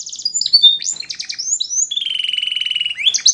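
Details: Canary song played for training young canaries: rapid high buzzy trills and rolls, short sliding whistles, then a long steady pulsed trill lasting about a second before a rising flourish at the end.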